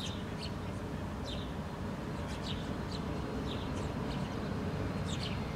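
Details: House sparrows forage on the ground in Helsinki, Finland, in July 2013 while a female feeds her fledgling; scattered sharp, high chirps come irregularly, about every half second at times, above constant low-pitched ambient roar.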